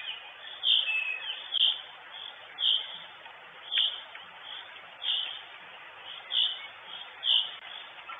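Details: Female northern goshawk at her nest in Estonia, 23 June 2022, on a live nest camera, gives short, high, sharp calls about once a second over a steady hiss of background noise.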